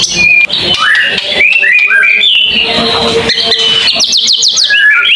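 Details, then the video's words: White-rumped shama song, a long varied tembakan phrase: loud whistled notes sliding between pitches, buzzy passages, and a fast run of high repeated trills near the end. "mure tembakan panjang"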